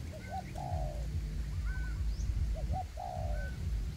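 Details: Forest-tested decoy spotted dove calling to lure wild doves: two phrases of quick rising double hoots leading into a long, falling coo, with faint distant whistles and low rumbling background.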